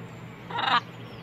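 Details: Wild blue-and-gold macaws feeding on sunflower seeds at breakfast give a single raspy, grating squawk about a third of a second long, rough and broadband, above a constant low hum.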